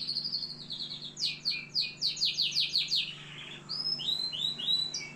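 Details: Canary from Algeria singing: rapid rolling trills of buzzy notes high in pitch, interspersed with clear whistled rising and falling phrases, with a faint steady low hum underneath.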